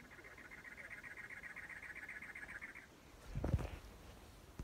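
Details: A cactus wren in the Arizona desert gives a rapid, harsh, chugging series of even notes for about three seconds, followed by a brief low thump of handling noise.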